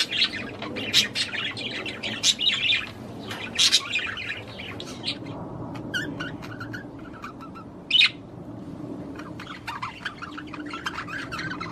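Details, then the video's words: Budgerigar courtship warble aimed at the female: busy chirping at first, then sparser clicks and a single loud sharp note near the end. "تغريد طير البادجي لتحفيز الأنثى على التزاوج"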